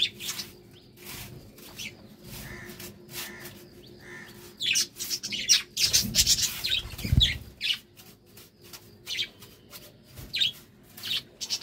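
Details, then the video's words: Budgerigars during courtship, quiet scratchy chirps at first, then louder bursts of buzzy warbling chatter from the middle onward, with a low thump and a faint hum. "Love time for budgies"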